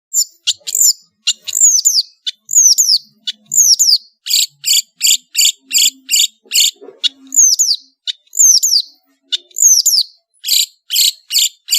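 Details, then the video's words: Long-tailed shrike from Madura singing in full voice with a varied master song: sharp downslurred whistles alternate with dense harsh buzzy bursts, repeated at a fast, uneven pace. The background is quiet. "SUARA burung CENDET GACOR master full variasi | ASLI cendet MADURA GACOR DOR"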